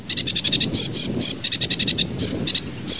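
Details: Sedge warbler, known as kerakbasi alis hitam, delivering tembakan variasi song: fast runs of scratchy, buzzy chips broken by short gaps, the rhythm uneven and lively.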